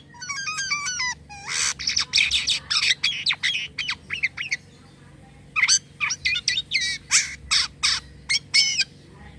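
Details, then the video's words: Starling (jalak kapas) singing actively with unusual sounds: a run of stepped, repeated whistled notes, then a fast series of sharp, varied chirps and squawky notes, mostly high-pitched, with a faint steady hum underneath. "jalak kapas gacor corr suara aneh"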